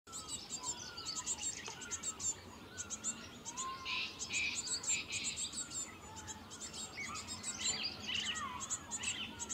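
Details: Cinereous tit feeding its young in Himachal Pradesh: dense bursts of very high, thin chirps repeated rapidly throughout, with louder buzzy notes in the middle and faint lower whistled notes in the background.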